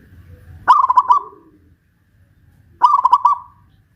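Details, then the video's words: Zebra dove of the local Pajajaran type, West Java, singing from a raised cage on a pole. Two clear phrases about two seconds apart, each a loud clipped note followed by a rapid run of rounded coos. "Perkutut lokal pajajaran jawa barat gacor rajin bunyi"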